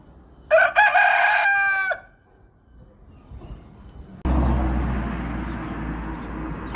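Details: Rooster crowing: a harsh, harmonic-rich crow of about one and a half seconds, then quiet, followed by a burst of broad background noise.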